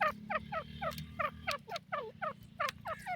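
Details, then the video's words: Partridge called teetar, Irani teetar: a fast series of hoarse, falling chuck notes, evenly spaced about three per second, over a constant low background hum. "buday teetar ki awaz,irani teetar awaz,teetar sound"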